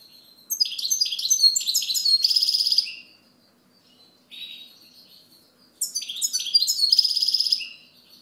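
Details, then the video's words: Clear European goldfinch song in two bouts: rapid series of bright, swooping liquid notes leading into a loud buzzy trill, separated by a short quieter twitter. "Chant Chardonneret"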